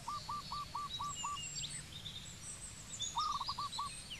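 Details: Cambodian zebra dove producing an evenly spaced string of clipped coos, then a short rolling phrase, with high whistles and chatter of other birds behind.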